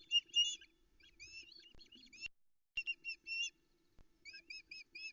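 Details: Osprey at the Loch Arkaig nest, Scotland, early morning of 13 July 2020 as the male delivers a trout and the female keeps begging for fish: bursts of high, thin whistled chirps, three to five notes at a time with short pauses, over faint hum.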